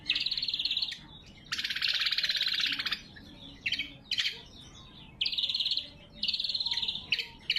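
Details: Greater green leafbird singing actively, clear and natural, used to call rivals and as a training song: buzzy trills, a long, coarse, rasping rattle, sharp clipped notes, then further fast, chattering phrases.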